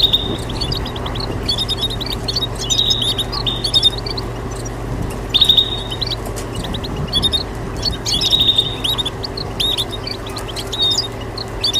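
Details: Goldfinch mules, goldfinch and canary hybrids, giving a mix of calls and chirps: short high twittering notes and flat sustained whistles repeated every second or two, over a steady low hum and background noise.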